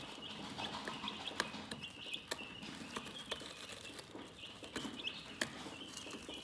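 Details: Gentle high chirping from chickens runs throughout, with small clicks and pecking taps scattered across the recording.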